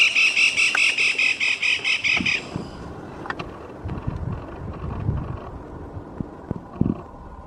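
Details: Black-rumped flameback (Lesser Goldenback, Dinopium benghalense) gives its characteristic loud, harsh rattling call: about a dozen quick notes over two seconds, then stops, followed by low traffic rumble and scattered thumps.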